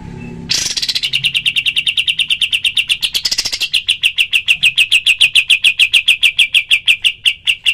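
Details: Rapid-fire 'tembakan' of a cream-vented bulbul, recorded as a training recording for other birds: after a brief quiet start, crisp high chirps repeat quickly and evenly, with a brief brighter flourish midway.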